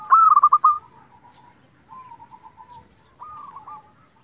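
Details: Zebra dove, a local bird singing vigorously as a lure for other zebra doves. A loud quick phrase of staccato coos opens, then quieter drawn-out cooing from more distant doves.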